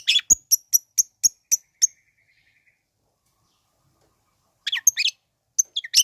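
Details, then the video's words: Long-tailed shrike song used as a provoking sound for dull, unexcited shrikes: a rapid run of about eight clipped, whistled notes, then a long pause before a few scratchy chattering notes return. "Bikin Cendet Loyo Kurang Emosi Agar Segera Terpancing Emosi &Ikut Bunyi"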